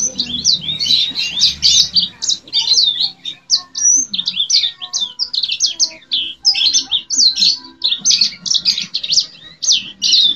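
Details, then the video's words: Sustained vigorous singing from a yellow-fronted canary, a long run of high, sharply slurred chirps and twittering trills in quick clustered bursts, with some faint low background noise early on. "Suara burung sanger gacor"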